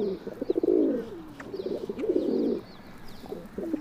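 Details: Feral pigeon (Columba livia) uttering two deep, burbling coo phrases that swell and fade, followed by quieter stuttering notes, with faint high chirps of small birds in the background.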